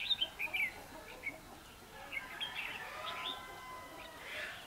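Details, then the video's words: A red-whiskered bulbul in a Vietnamese bird-trapping or song-fighting session on 21 December 2015 gives bright, chirpy whistled phrases in short bursts, with a few quick notes early on and a busier burst near the end. "Bẫy đấu chim chào mào"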